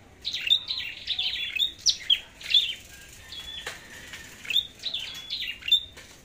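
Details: Red-headed flowerpecker in a singing contest: thin, high sharp notes in quick bursts, each falling then leveling into a brief whistled tone, with short pauses between bursts and a faint flutter of wings.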